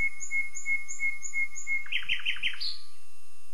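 A common nightingale sings a phrase of six pure, evenly spaced whistled notes, then a quick run of rich, descending chirps ending on a higher note.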